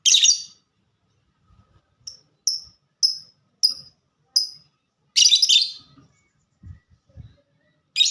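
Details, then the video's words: Fighter lovebird delivering ngetik (typing) song: a harsh chirp, then five crisp high ticks spaced about half a second apart, another rasping burst, faint low knocks, and a final chirp. "Burung Lovebird Suara Ngetik Dan Sama² Fighter"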